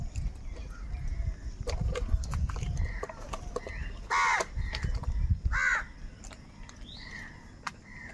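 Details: Crows squabbling over food: two separate rough, descending caws stand out a second apart amid low rumbling noise and scattered faint bird chirps.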